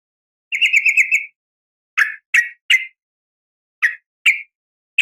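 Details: Female sooty-headed bulbul calling males with an 'uplik tarung' call: a short fast trill of even notes, then spaced single harsh chirps, each brief and slightly buzzy, in clean quiet surroundings.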